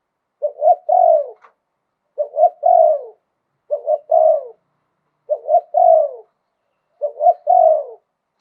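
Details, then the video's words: Wild-voiced spotted dove delivering 'liu tan' style song, 'khan yon'. Five steady phrases of two or three clipped hoots leading into a drawn, downslurred croo, repeated about every one and a half seconds. "หลิ่วตัน มงคล ขันโยนเพราะๆเสียงป่า"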